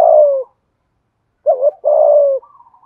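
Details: Spotted dove cooing in the giọng thổ voice style: a falling coo note ends, then after a silence comes a wavering double note followed by a long, slightly descending coo, all low-pitched and clean.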